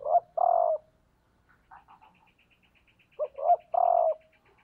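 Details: Decoy female spotted dove cooing to stimulate males: a long hoarse coo, then a repeat phrase of two quick notes and a drawn-out coo, with a thin chirping bird faintly behind.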